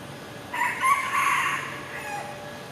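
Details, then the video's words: A red junglefowl high up in a tree, just before jumping, in Singapore at 8:39 am on 21 October 2023, gives one short, harsh crow of about a second, cut off before the full cock-a-doodle, over a steady hum. "Red JungleFowl High Up In Tree"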